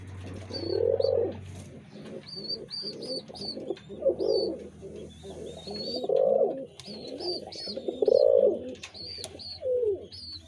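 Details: Several pigeons coo almost nonstop in a throaty, rolling chorus of rising-and-falling phrases, with frequent short high chirps of other small birds and a faint low hum.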